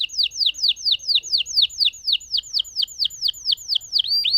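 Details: Lemon canary delivering a continuous roll of crisp, downward-sweeping whistled notes, about four per second, ending with a rising whistle.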